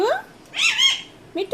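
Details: A pet talking rose-ringed (ringneck) parakeet, coaxed by its owner to speak, utters a short, high, raspy phrase of speech-like syllables followed by a brief clipped note, with a person's voice nearby.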